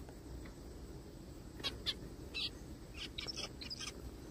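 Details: A small zebra finch found calling in a forest gives about half a dozen short, nasal, high calls over two seconds, some paired, over a steady low rumble.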